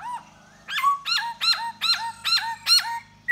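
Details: Laughingthrush, Da Bò type, singing to lure a female while dancing. It makes a string of six loud, ringing notes, each a sharp rise then a falling slur, spaced about a third of a second apart.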